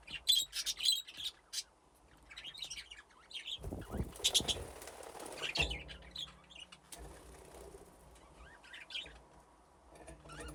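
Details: Budgerigars in an aviary with nesting boxes, playing and moving about: bursts of quick chirping chatter at the start, then wing flutters and knocks with scattered chirps.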